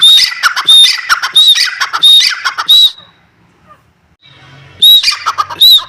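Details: Dakhni teetar, the grey francolin, calling in rapid harsh whistled phrases for about three seconds, then a quiet gap with faint low background sound, before the loud repeated calls resume.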